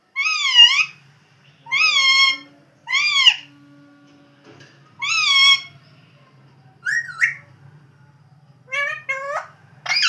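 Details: Pet parrot indoors giving loud, harmonically rich calls in short bursts: three similar rising-falling squawks about every one and a half seconds, another after a pause, then varied higher chatter near the end over a faint low hum.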